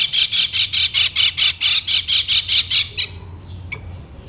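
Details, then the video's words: Lemon-bellied white-eye from Lombok, a recording used to lure and teach other birds to sing: a fast series of about twelve harsh, buzzy bursts, evenly spaced, then a sudden stop and near quiet. "KECIAL KUNING PANCINGAN UNTUK BURUNG BELAJAR BUNYI DAN MALAS BUNYI"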